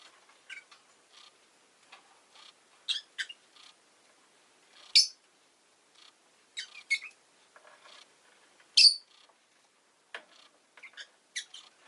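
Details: Rosy-faced lovebird, a pet, with city noise audible, gives irregular shrill chirps every couple of seconds, mixed with quieter squeaky twitters.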